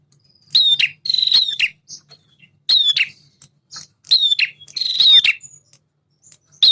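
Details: Male prinia giving vigorous song, between semi and klawu types, to provoke captive birds: rasping buzzy phrases punctuated by sharp ticks, several in quick succession, then a pause.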